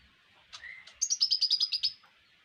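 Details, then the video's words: Tutor recording of brown-throated sunbird (konin) song for songbird hobbyists: a short drawn whistle, then a quick series of about eight bright, high chirps on nearly one pitch. "Konin mewah masteran wajib kicau mania"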